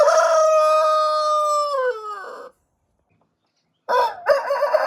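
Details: Rooster crow heard mid-call, a steady rich harmonic tone that drops in pitch at its close, followed after a pause by the broken start of another crow.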